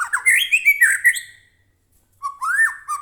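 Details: White-rumped shama singing as a lure to excite other shamas: a dense burst of bright swooping whistles and scratchy notes, a pause of nearly a second, then a rising slurred phrase.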